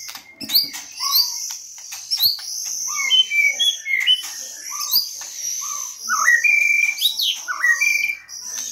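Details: White-rumped shama song used as a lure: clear whistled notes, upward-sweeping slurs and sharp chips in quick irregular succession, accompanied by a persistent thin high whine.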